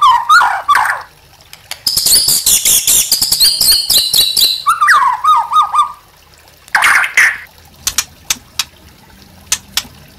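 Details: Master recording of white-rumped shama song for training caged birds: low whistled phrases, then a dense buzzy rattle lasting several seconds, a wavering whistle, and scattered sharp ticks.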